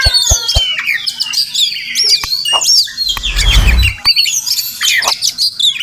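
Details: Wild Murai Kampung (Oriental magpie-robin) at a village house: sharp clicks and whistled phrases with a long sliding high note, interrupted midway by a low thumping noise.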